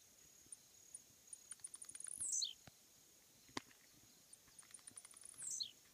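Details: Blue-black grassquit on a roadside fence gives two short songs, each a run of quickening ticks ending in a high buzzy downslurred note, about three seconds apart, over a steady high insect hum.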